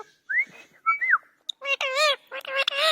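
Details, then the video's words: Parrot giving two short upward-sliding whistles, then loud, rich, warbling speech-like phrases filling the second half. "Funny Parrots talking"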